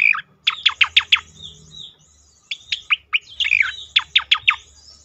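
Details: Striated grassbird singing on a therapy recording meant to prompt other birds to sing: rapid runs of loud, falling chirped notes in two bursts, separated by a short pause with thin high whistles.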